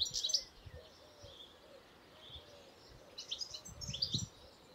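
A European goldfinch gives two bursts of bright, tinkling, high twitters, separated by a pause of nearly three seconds, over soft low rumble and a faint, low, repeated note.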